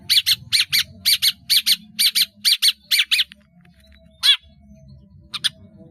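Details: Long-tailed shrike from a cage singing a mimicry-filled song. A rapid series of paired buzzy chirps repeats about twice a second, then stops, followed by two isolated sharp notes over faint background hum.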